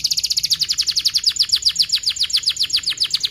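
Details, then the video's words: Loud canary roll for teaching juvenile canaries: a continuous, very fast run of high, down-slurred chirps repeated at an even, rapid rate throughout, with no pause. "KENARI GACOR PANJANG Rol Rapat EMOSI Cuit cuit Ngerol AMPUH utk Pancingan kenari paud belajar bunyi"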